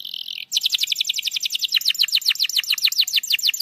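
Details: Canary song used to provoke a quiet canary into singing: a long rapid trill of repeated high, downward-sweeping notes, about four per second, after a brief sustained whistle.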